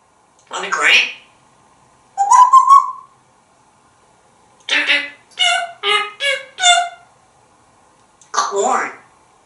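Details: Male African grey parrot, hatched 1997, chatting from a house counter in Texas: a spoken phrase, a rising whistle, then a run of four quick tonal hooting notes and a final word, all in a quiet room.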